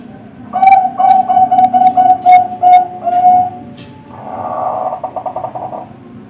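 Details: Bangkok-type zebra dove, with young birds also mentioned, recorded as a training song for kept birds: a run of short, clipped, mellow notes repeated quickly for about three seconds, then a softer buzzy burble.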